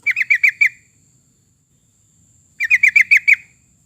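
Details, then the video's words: Sooty-headed bulbul singing, for playback as a lure to draw song from other birds: two brisk phrases of five or six lively, evenly repeated notes separated by a short silence. "kicau burung trucukan"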